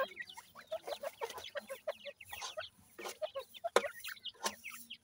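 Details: Grey francolin chicks at feeding time, giving rapid bursts of brief high cheeping notes, several overlapping, punctuated by a few loud clicks and handling noises over a constant low electrical hum.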